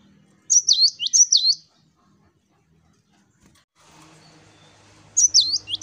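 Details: Two quick high swooping whistled phrases from a singing cinereous tit, 'wucit wucit', then a pause filled with soft background noise before the song resumes with another phrase.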